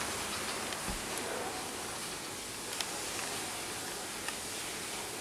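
Steady broadband hiss fills the recording, with faint rustling and a few scattered ticks but no distinct animal call.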